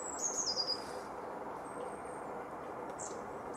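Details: Eurasian blue tit at Anglet, France, in winter 2018-19, giving a brief phrase of high, glassy notes that step downward and quicken, then fainter high calls over constant background hiss.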